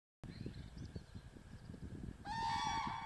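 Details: Common cranes in Masovia, Poland, giving their loud trumpeting call known as klangor: low rumbling thuds and handling noise, then a sudden loud, harmonic-rich, sustained trumpeting note carrying through the final second.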